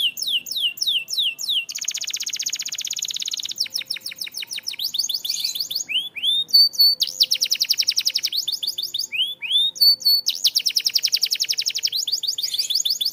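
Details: Canary song for training: fast rattling trills of repeated high notes, a buzzy sustained stretch, then bursts of rising and falling slurred whistles, rolls repeating several times per second.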